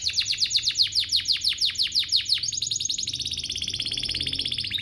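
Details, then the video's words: Canary singing as a lure for other canaries: crisp down-slurred notes about five per second, then a smooth rolling trill that rises gently and stays high to the end. "Pancingan ini EFEKTIF BANGET, burung kenari lain langsung terpancing untuk GACOR"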